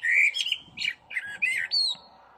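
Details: Common blackbird singing in spring on tree branches under blue sky, calling for a mate; short burst of whistled and squeaky phrases around a steady mid-high pitch, with harsh chattering notes and a rising final whistle.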